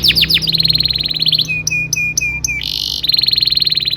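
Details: Young-canary training song: a few quick sweeps, a smooth rapid roll, then a string of short clipped whistles, a buzzy burst and another steady roll.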